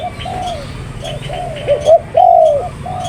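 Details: Spotted dove calling with a run of soft low coos, then two short notes and a longer, louder falling coo, with faint twittering of other small birds behind.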